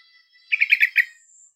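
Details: Yellow-vented bulbul, played as a lure for a caged bird that has stopped singing, gives a short, bubbly phrase of four or five quick, rich notes, with a faint thin whistle trailing after.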